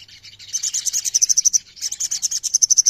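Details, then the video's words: Ombyokan chorus of ruby-throated myzornis for song therapy: two quick bursts of high, evenly pulsed chirps, each about a second long, the notes growing clearer and more regular toward the end. "TERAPI OMBYOKAN SOGON LANGSUNG BUNYI"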